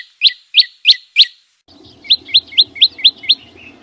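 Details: Green flowerpecker song in nature: four crisp, upswept high chips spaced evenly, a brief pause, then a quicker run of seven similar sharp notes, with a soft low rumble underneath.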